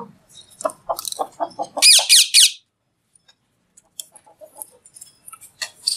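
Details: Alexandrine parakeet talking while eating: a quick run of short harmonic notes, then three loud, harsh, buzzy high bursts, a silent pause and scattered faint clicks and chirps.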